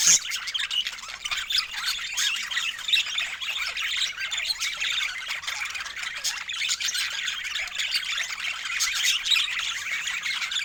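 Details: Fresh food sets budgerigars chirping happily; an even, continuous chorus of high twitters and short squawks fills the whole stretch, opening with one louder burst.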